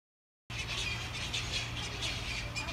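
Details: Flock of egrets in 2016 at an urban roost in Himalayan cedar trees by apartment blocks in Dongin-dong, Daegu, after moving from nearby cut-down trees; dense chattering squawks overlap continuously, with a steady low hum underneath.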